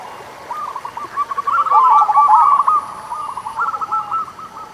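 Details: Local-type zebra dove song, used as a lure to prompt doves that are slow to sing. A fast, bubbling run of short cooing notes runs almost without a break and swells loudest in the middle. A faint high, steady whine sounds behind it.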